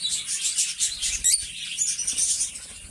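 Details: Two pet lovebirds chirp steadily in a dense, high, scratchy stream of overlapping twitters, with no clear pauses across the stretch.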